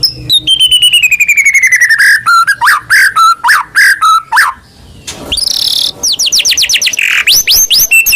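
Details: Murai batu (white-rumped shama) singing steadily, a kept bird readied for contest. It opens with a fast whistled trill sliding downward, then rich varied notes. A brief noisy pause follows, then a rapid series of sharp rising sweeps.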